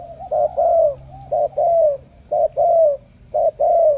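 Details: Spotted dove cooing, from Cà Mau: loud low coos around a steady pitch, each phrase a short note then a longer falling one, repeated roughly once a second, over a faint low hum.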